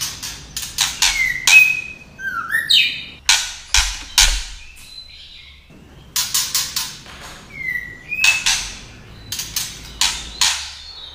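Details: Female white-rumped shama singing to excite males, with loud harsh broadband clicking bursts alternating with short whistled rising and falling notes, repeated in bouts with brief pauses.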